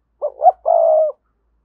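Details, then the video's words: Single spotted dove decoy phrase, used to get other doves to coo: two quick low notes, the second rising, then one long, steady, throaty coo lasting about half a second. "Tiếng chim cu gáy thúc bổi, mở lên nhá bổi gáy liền, giọng may bổi"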